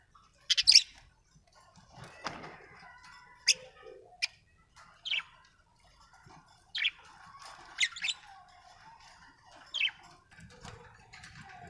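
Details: Budgerigar, or parakeet, chirping: short, sharp, high chirps come singly or in quick pairs every second or two, with quiet gaps between them and faint ticking and rustling in the background.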